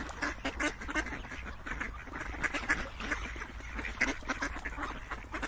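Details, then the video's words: Several ducks quacking at once, loud clusters of nasal calls alternating with slightly quieter stretches over five seconds. "Quacking Duck sounds"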